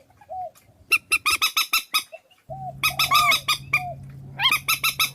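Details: Compiled Vietnamese decoy of purple swamphen: soft slurred whistles open, then quick strings of harsh honks, with rising squeals near the end and a continuous low hum in the second half.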